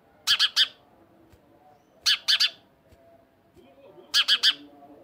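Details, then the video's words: House sparrow calling: bursts of three harsh, loud chirps in quick succession, the groups repeated about every two seconds, over a faint background hum. "عصفور دويري صوت"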